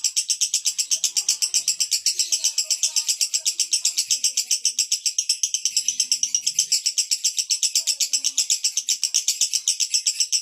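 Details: Male lovebird in "konslet" style: a rapid, continuous chattering of high, buzzy notes, about four per second, sustained without a break.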